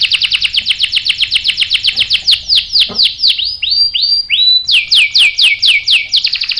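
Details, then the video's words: Canary song used as a lure to make other canaries respond with sharp rolls; fast repeated downsweeping notes, about four per second, a few slower swooping whistles, then another bright rapid series. "PANCINGAN KENARI GACOR bikin EMOSI jadi NYAUT NGEROL TAJAM | CANARY SINGING"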